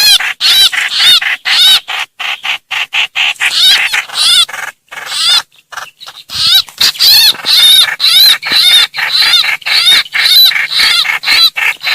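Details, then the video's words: Trao trảo calling for help and gathering its flock, a playback lure for greater coucals. A long run of strident, nasal, chevron-shaped calls, about two per second, with brief pauses and some overlapping louder notes near the end. "tiếng chim trao trảo kêu cứu gọi bầy"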